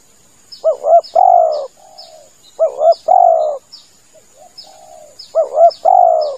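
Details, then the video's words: Lure call of a spotted dove, used when waiting in a hide for doves: three phrases about two seconds apart, each a quick double coo running into a drawn-out coo and a softer trailing note, with faint high chirps behind. "SUARA PIKAT TEKUKUR cocok buat nyanggong"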